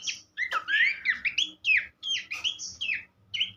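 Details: Horsfield's babbler singing on a songbird-training recording: loud, clear whistled phrases with wavering slurs, a sudden click, then short falling whistles in quick bursts separated by brief pauses.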